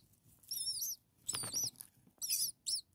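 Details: Hungry common starling babies, six nestlings a few days old, calling from the nest: shrill, bending double-note squeaks in three quick bursts, with a scraping rustle between them.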